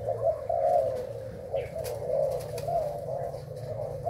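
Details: Thai spotted dove kept for breeding, delivering soft hollow coo phrases one after another at a relaxed pace, with a persistent low hum and a few faint clicks behind.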